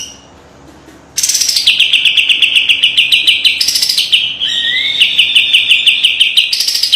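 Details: Kapas tembak white-eye singing a sharp, fiery master song with tight rapid rattles for training; after a second of quiet, a high buzzy phrase settles into a fast even trill of clipped notes, with a brief rising whistle near the end.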